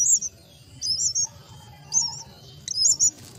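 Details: Myna chicks being fed at the nest give short high chirps in bursts, clustered near 0.1, 1.0, 2.0 and 2.8 seconds, with a fainter lower whistle in between.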